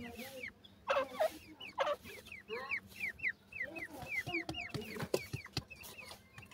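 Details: Grey francolin chicks, called gora teetar, from India: many short high peeping notes, each a quick upward-hooked chirp, repeated rapidly and overlapping, with a few louder lower clucking bursts near the start and middle.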